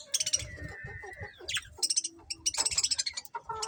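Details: Happy budgerigar colony chattering: a drawn-out whistled note, then rapid high chirps and squeaky bursts coming in quick pulses, over low background rumble.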